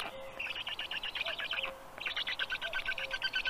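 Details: Rapidly repeated grating notes from black stork chicks being fed breakfast in Tartu, Estonia, mid-morning, 16 June 2022; two chattering bursts, some notes with a tonal edge, with a soft low whistle behind.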